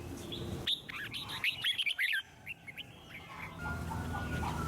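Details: Red-whiskered bulbul song meant to encourage other birds to sing: a short flurry of sweet whistled notes lasting about two seconds, framed by steady broadband background noise.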